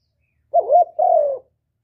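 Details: Spotted dove giving a stimulating coo meant to make other doves coo back: one short mellow two-part coo, the first note wavering, the second longer and gently falling, in a quiet room.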